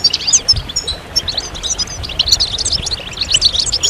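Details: European goldfinches singing as a group, meant to speed birds out of moult: bright, jangling twitters and quick chips come in loose bursts, busier in the second half, over a quiet low hum.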